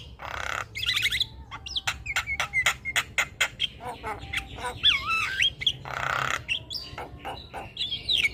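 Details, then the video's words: Javan myna kept as a caged bird, noisy and constantly singing so that other birds join in; harsh raspy bursts alternate with rapid clicking notes and twisting whistled phrases, a varied chattering medley. "Jalak Kebo gacor Tak Kenal Waktu Bikin Ribut Burung Lain Ikut Bunyi"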